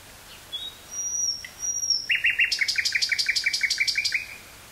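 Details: Common nightingale singing in woods near Burgh-Haamstede, Netherlands, on 18 May 1983, taped on a portable cassette recorder with stereo microphone; thin high whistles, then a fast run of about a dozen sharp repeated notes.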